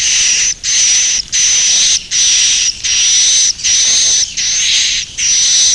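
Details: Edible-nest swiftlet (Aerodramus fuciphagus) roosting calls: harsh, buzzy chirring bursts with a thin high whistle, about eight in six seconds, separated by brief gaps.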